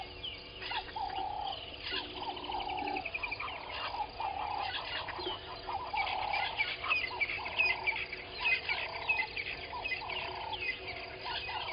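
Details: Egyptian goose pair at Gowrie dam waterhole, Djuma Game Reserve, Sabi Sand Wildtuin, South Africa, at 05:32 dawn: repeated nasal honks in short bursts through the clip, with smaller birds chirping higher in the background.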